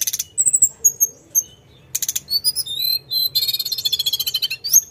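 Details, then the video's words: Sunda robin in full, continuous rolling song: high thin whistles and slurred notes, a pause, then a fast run of rising and falling whistles ending in a dense buzzy rattle of rapid notes. "Kicauan Tledekan gunung full gacor ngeroll"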